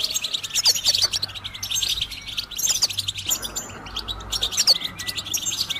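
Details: Goldfinch singing, a recording used to encourage other birds to sing: quick high twitters and sharp chirps in bursts, with a brief quieter pause about halfway and a soft low hum underneath.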